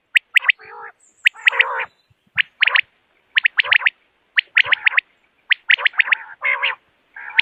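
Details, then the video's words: Morning calls of common quail, used for hunting: crisp, high, clipped notes in fast groups of two to three, alternating with lower raspy, gurgling bursts over several seconds. "Morning Quail Call 2025 صوت السمان واضح للصيد Batair Ki Awaz بٹیر کا شکار"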